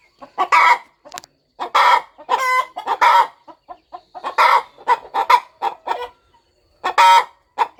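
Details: Brooding farm hen preparing for her eggs to hatch. Clusters of loud, raspy clucks alternate with short pauses, including a couple of nasal, buzzing calls.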